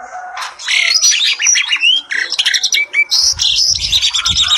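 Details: A pair of Asian pied starlings in lively song, full of varied notes: dense chattering phrases mixed with clear rising whistles and harsh bursts, almost continuous.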